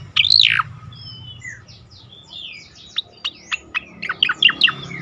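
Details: Striated grassbird with a melodious voice, kept as a tutor sound for young songbirds: a loud falling whistled slur opens, followed by faint whistles and then a steady run of sharp, evenly spaced high chirps.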